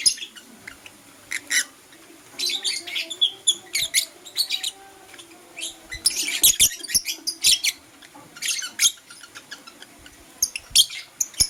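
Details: Lively morning chirping from a blue opaline lovebird: continuous bursts of shrill, scratchy notes in irregular clusters, with a dense rapid flurry in the middle and a faint low whistled tone underneath.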